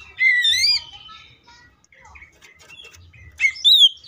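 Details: Greater green leafbird singing full tembakan: a loud rising and falling warbled whistle, a stretch of soft varied chatter, then a sharp closing pair of high twisting notes.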